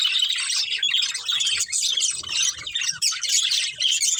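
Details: Chattering budgies from a breeding pair: a busy stream of rapid, raspy chirps and squeaky warbles layered together, steady throughout with a short dip near three seconds.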